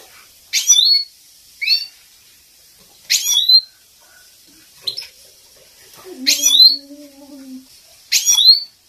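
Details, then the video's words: Goldfinch training call for captive males, given as a female's excitement sound: repeated short bursts of sharp, high chirps and upward sweeps, with a low steady hum briefly beneath one burst. "The best training song || ویشت مستی برای مست کردن سایره"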